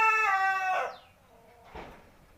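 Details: Native village chicken aged seven months: a rich, harmonic crowing note held steady, then sliding down at its end, followed after a short pause by a rough cluck-like burst.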